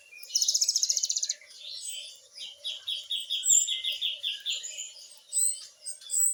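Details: Gacor great tit (gelatik batu) firing a 'nembak' fill-in: one loud, fast, high rattling trill lasting about a second, followed by a run of quicker, repeated chirping notes slightly lower in pitch.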